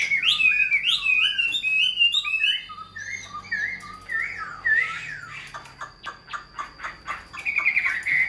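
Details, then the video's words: Hand-tamed hwamei in a cage: looping whistled phrases repeated in quick succession, then softer notes, followed by a train of dry rhythmic clicks and a final high warble. "Chim thuần sách tay hót, đấu tốt - Hoạt Họa Mi"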